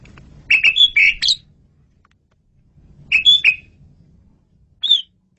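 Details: Asian pied starling in lively training song: two bursts of clear whistled and chirping notes a couple of seconds apart, then one lone high whistle, over a faint low hum.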